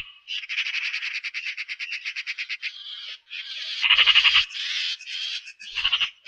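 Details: Eurasian magpie delivering a long, even series of rapid dry clicks for nearly three seconds, followed by louder, rougher rattling bursts; a grating machine-gun chatter with no other sounds in the background.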